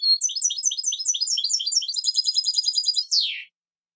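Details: European goldfinch singing a fast, liquid twittering phrase of repeated high chirps and trills, ending in a short descending buzzy note; no other sounds.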